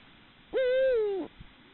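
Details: Eurasian eagle-owl (Bubo bubo hispanus) gives one drawn-out, hollow, nasal note under a second, steady then dipping slightly, in a quiet night setting during copulation with a receptive female.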